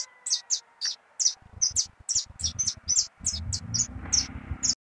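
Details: Canarinho pardo singing a lot, a brisk series of piercing high chirps at irregular spacing, joined by low rumbling background noise in the second half.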